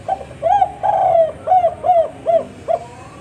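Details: Spotted dove (tekukur) calling in the 'kuk 4' style, singing actively: a run of six mellow, low coos, the second drawn out and slightly falling, the others short and evenly spaced about every half second.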